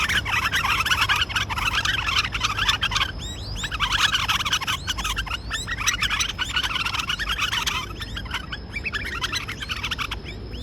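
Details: Several white-eared bulbuls fighting: a dense, harsh chatter of overlapping scolding notes and sharp chirps, almost unbroken with a brief lull partway through.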